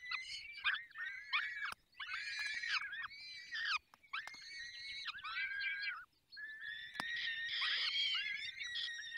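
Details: Feeding at a falcon nest in the Barycz Valley: bursts of harsh, squealing calls with strong overtones, some slurred downward, with brief pauses and two sharp clicks, ending in a long, steady wail.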